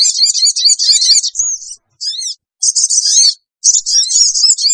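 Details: Sooty-headed bulbul screeching lure call to gather wild birds: dense, loud, very high chattering bursts, a brief clear whistled note, then more rapid buzzy chatter.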